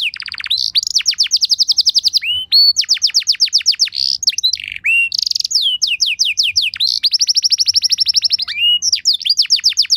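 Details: Lure song from a canary used to prompt other canaries to reply, a continuous loud stream of fast trills of steep down-slurred notes broken by short rising whistles, with little pause throughout.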